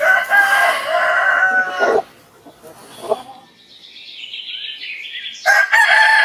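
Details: A rooster crows in the morning for about two seconds, then comes a lull with quieter bird calls, and a second loud crow begins near the end.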